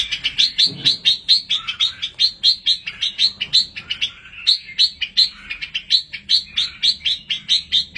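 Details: Red-whiskered bulbul chicks in an aviary give a steady stream of shrill, high chirps, about three each second, sometimes overlapping as several call together.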